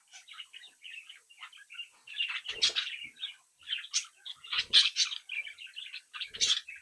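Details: Budgerigar chicks from a home brood warble and twitter in a running stream of short chirps, with louder scratchy bursts and a few clicks or wing sounds.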